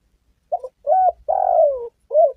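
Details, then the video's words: Spotted dove cooing as a lure for hunting and trapping: one complete phrase, a stuttered note, a level coo, a long coo sliding downward, then a short rounded final coo. "PANGGILAN SUARA BURUNG TEKUKUR||DERKUKU GACOR"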